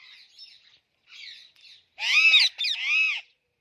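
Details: Alexandrine parakeet chattering softly, then breaking into two loud, grating, arched squawks separated by a brief click.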